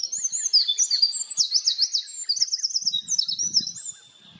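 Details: Eurasian wren singing on a high plateau: a fast, bright, high-pitched outpouring of twitters and rolling zig-zag trills that run without pause for about four seconds, then fade. Faint low rustling underneath.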